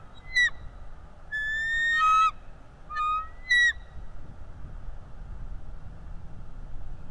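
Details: Bald eagle at its nest on a live cam, chasing away a stranger eagle: sharp chattering whistles in short bursts, mixing brief chips with longer rising piping notes, then quiet with faint background hiss.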